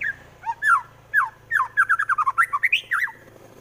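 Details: White-rumped shama from Central Java in fighting song meant to anger rivals: scratchy lower whistled notes building into a fast, evenly spaced chattering run of rising and falling slurs.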